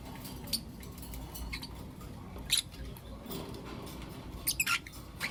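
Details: Morning chirping from blue opaline and lutino opaline lovebirds: short, high, clipped chirps come singly and in a quick burst of three near the end, over a constant low hum.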